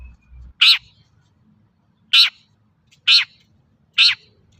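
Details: Long-tailed shrike calling actively, played as a lure to make other shrikes respond and sing: four loud, grating, scratchy notes about one second apart, with a brief low thump at the start.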